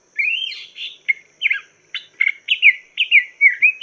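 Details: Chinese hwamei singing, a recording used to tutor cage birds: a rapid, varied run of loud rising and falling whistles mixed with short buzzy chips, phrases following each other almost without pause.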